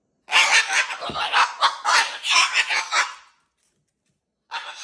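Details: Excited cockatoo giving harsh, raspy screeches in a rapid run of about a dozen pulses over three seconds, then a pause before another screech begins.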